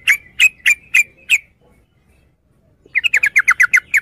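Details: Yellow-vented bulbul (trucukan) giving five spaced, sharp chirping notes, then about a second and a half of quiet before a quick run of crisp, falling chatter notes.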